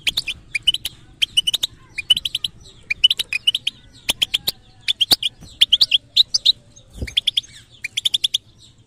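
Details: Singing European goldfinch, al-batbata song type shown to bird trainers: a long, steady stream of crisp high chirps in quick triplets and quadruplets, with dry clicks and a low thud near the end.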